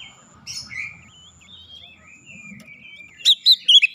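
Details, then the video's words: Oriental magpie-robin song used as a lure to get silent birds singing: a quiet stretch of soft thin whistles, then a loud burst of clear whistled notes near the end, with faint low rumble beneath. "kicauan jernih Kacer pemikat | KACER macet bunyi langsung ikutan gacor"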